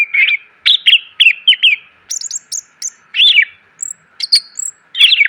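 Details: Greater green leafbird singing, a training recording for caged birds: short twisted whistled phrases repeated in quick bursts, some very high thin notes, faint hum behind.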